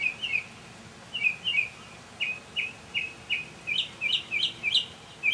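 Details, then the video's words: Mockingbird singing on a May 2007 evening, a mini concert of quick repeated slurred notes, roughly three per second, then a switch to higher sharper double notes near the end. "Mockingbird Songs"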